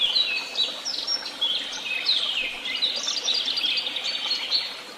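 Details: Birdsong chorus, apparently recorded at Tehidy Woods: several birds sing at once in a dense, continuous tangle of high chirps, trills and quick twittering phrases that overlap throughout, with soft background hiss and no other clear sounds.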